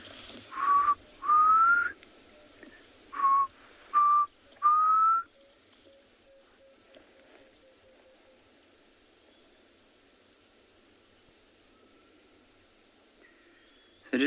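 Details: Black Cuckoo on an afternoon safari in a South African reserve on 12 November 2020, the first heard this season, gives mournful two-to-three-note whistled phrases with a rising end, then faint falling notes; a click is likely a bursting tambotie seed.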